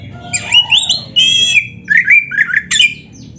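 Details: Oriental magpie-robin song meant to excite other magpie-robins into singing: loud slurred whistles and harsh squawky notes, a long sustained note, then several short rising phrases.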